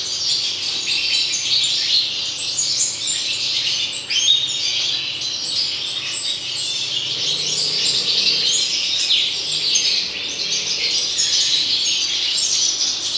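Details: A long run of European goldfinch song from 2019: fast, jangling twitters and chirps packed closely together, bright and continuous, with slight surges in volume and a low background hum.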